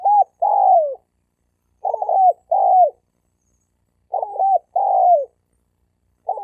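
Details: Male spotted doves calling in a fighting challenge. A rhythmic phrase of a brief stuttering note and a drawn-out coo that drops in pitch repeats roughly every two seconds, without background noise.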